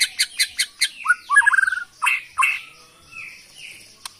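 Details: Wild-caught Bornean white-rumped shama from Kalimantan forest, a singing bird kept by songbird hobbyists, delivering a varied song: quick repeated sharp notes, then a rapid rattling trill and rich whistled phrases, fading to softer high notes.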